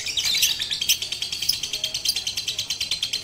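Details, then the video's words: High, rapid twittering of a lovebird trained on a rooftop with a master recording, 18 April 2021. Dense, buzzy notes repeat many times per second in a steady, rhythmic chatter. "Melatih Kicau Lovebird Batman Menggunakan Masteran di Atas Atap"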